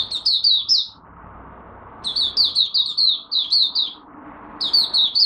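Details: Caged Malaysian oriental white-eye in its first warm-up song of the day, recorded 1 August 2023: bursts of rapid, high, twittering notes, about a second long, repeated every two to three seconds with short quiet gaps between.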